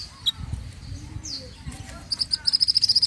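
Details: Pied bushchat song used as a master recording for training songbirds: scattered high thin notes and downslurred whistles, ending in a fast, even series of sharp high ticks, with low background rumble.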